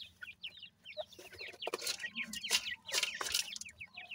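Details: Francolin chicks together with their family: a dense chorus of thin, high, downslurred peeps from several chicks, overlapping continuously, with bursts of rustling noise.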